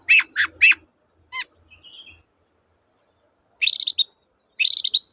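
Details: Singing long-tailed shrike, 'toet-toet' style, meant to provoke silent shrikes into song: three harsh descending notes and a sharp stacked chirp, a soft warble, then two fast rattling trills after a pause.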